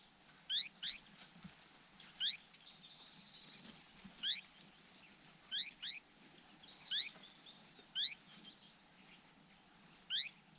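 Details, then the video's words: A bigger nestling that could already fly begs loudly for food with sharp, high chirps, often in quick pairs of steep sweeps, about every second, as a hawk attacks the nest. "the bigger chick had flight capability still was loud begging for food"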